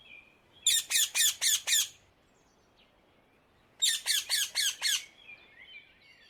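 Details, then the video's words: Free in the wild in the Netherlands, a rose-ringed parakeet gives two bouts of five evenly spaced, harsh screeches, separated by about two seconds of near quiet. "Indian ringneck parrot, صوت ببغاء الدرة في الطبيعة"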